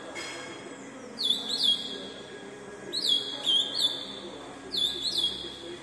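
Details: Ultramarine grosbeak, a fast-singing individual, singing three quick bursts of high, bright whistled notes, each under a second long, over a faint steady background hiss.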